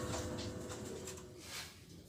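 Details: Young spotted dove, a few months old, a captive-bred offspring of a Kelantan F3 male and a white multi-coo female, giving low, soft cooing notes over about a second, set against steady background hiss and rustling.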